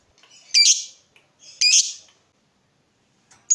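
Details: Lovebird used as a singing lure for training other lovebirds, giving two harsh, squawky high chirps about a second apart, then a brief note at the end; no other sounds.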